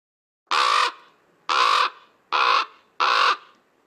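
Common Raven giving four harsh, hoarse croaks, each about a third of a second long, spaced roughly a second apart; low and rough-toned.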